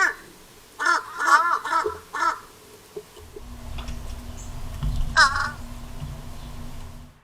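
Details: Fish crows at American backyard feeders give a quick burst of four or five short, nasal, staccato calls, then one more after a pause, over a low background rumble.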